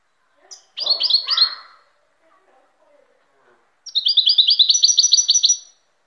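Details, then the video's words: Song of a European goldfinch: a short, high chirping phrase, then after a pause a longer run of rapid, evenly repeated bright notes lasting nearly two seconds. "تغريد طائر الحسون chant de chardonneret"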